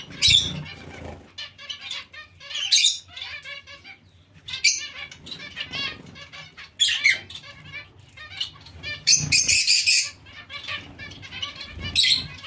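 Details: Zebra finches in a mixed finch colony giving sharp nasal beeps and rapid chattering runs, louder outbursts every couple of seconds over a steady background of softer calls and wingbeats.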